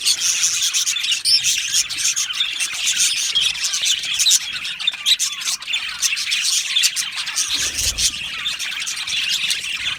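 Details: Aviary budgies chatter in a dense flock, high squeaky chirps and squawks running continuously, with a soft low thump near the end.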